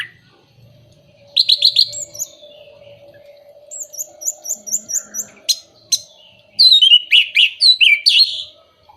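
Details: Orange-headed thrush (anis merah) song played as a lure for moulting, silent or low-condition birds: bursts of rapid, high chattering and whistled notes, short repeated slurs and buzzy trills between pauses, over a faint steady hum.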